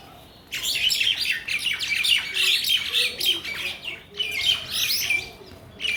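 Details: Mynas in a Bangladeshi village chatter in a busy, harsh jumble of squawks, whistles and chirps, bursting almost continuously with brief pauses; several birds seem to call at once.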